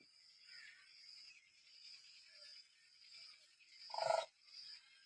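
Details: A single short, rasping call from a demoiselle crane (koonj) near the end, after four seconds of quiet background hum.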